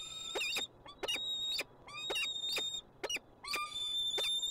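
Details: Peregrine falcon in Montreal, Canada, giving harsh, high, strongly ringing calls, each a short grating note repeated about twice a second, over steady low background hum.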